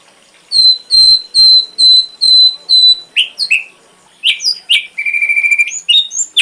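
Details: Ashy drongo singing for a full-repertoire songbird tutor recording: six short, clear high notes evenly spaced, followed after a pause by varied squeaky slurs, a brief fast trill and sharp chirps.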